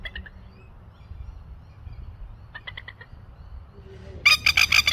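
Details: Masked lapwing (spur-winged plover) chicks in Australia give thin, high peeping notes in short bursts, ending in a loud run of sharp, rapid calls, over a low rumble of wind.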